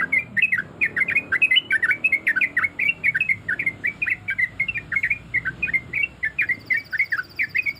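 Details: Female yellow-vented bulbul calling to males while in breeding condition: lively, clipped chirps rise and fall in quick succession throughout, with a faint high tone near the end.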